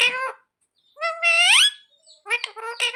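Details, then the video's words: Pet parrot copying the words "mummy papa": a short nasal syllable, a long rising drawn-out utterance, then quick clipped syllables in a burst at the end. "मम्मी-पापा बोलने वाला सुपरस्टार मिट्ठू || 100% असली बोलने वाला मिट्ठू | Viral Parrot Talking Video"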